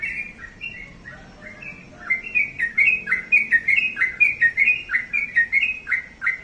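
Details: Sooty-headed bulbul song: bright whistled two-note phrases dipping and rising, quiet at first, then loud, quick repeated chirpy notes running steadily through the second half, over a faint low hum.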